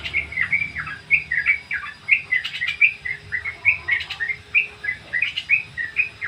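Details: Ngriwik song of a sooty-headed bulbul, used as a training lure: a bright run of short chirped notes, rising and falling, repeated in steady pulses several times a second over a quiet background.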